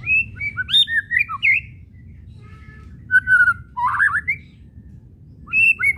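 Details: White-rumped shama whistles and kretekan chatter, played to get shamas singing: a fast twisting phrase of clear whistles and clicks, a quiet gap, then a level whistle and warble, and a fresh phrase starting at the end.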